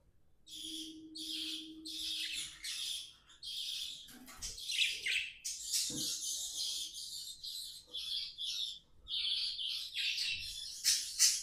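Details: Pet budgies in song, with long rapid scratchy warbling and chirping, a faint low hum early on, and a few soft knocks in the background.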